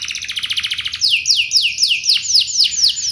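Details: Canary lure song for prompting other canaries to sing back: a quick rattling trill of tiny repeated notes, then a series of well-spaced, sharply falling whistled notes.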